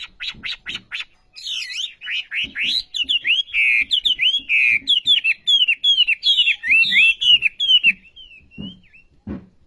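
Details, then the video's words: Olive-backed sunbird in full, characteristic song: a rapid run of short sharp notes, then a long sequence of loud slurred whistles rising and falling, with brief pauses and faint low knocks underneath. "Burung Wambi Gacor Khas Sekali Kicauanya"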